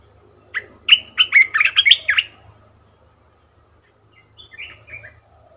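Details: Red-whiskered bulbul used as a decoy bird, caged, pouring out a loud fast string of about eight warbled chirping notes, followed by a quieter phrase of a few rising whistles.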